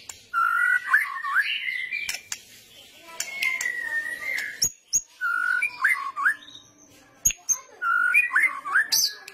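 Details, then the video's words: White-rumped shama delivering kretetan song meant to provoke other birds: the same looping whistled phrase repeated three times with sharp clicks between, mixed with high thin notes and a level whistle. "masteran pancingan kretetan burung murai batu gacor"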